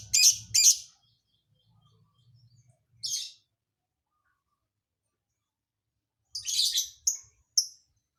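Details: Lovebird's unusual isian filler song: two loud, harsh chirps close together, a single buzzy note after a quiet gap with faint low hum, then a chattering burst and two short, clear whistles.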